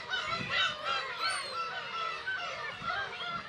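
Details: Nesting Black-tailed gulls with chicks at Kabushima, Hachinohe, Aomori, Japan, 10 June 2020, GoPro HERO8; continuous overlapping nasal mewing from many birds, roughly three calls a second, no single bird standing out.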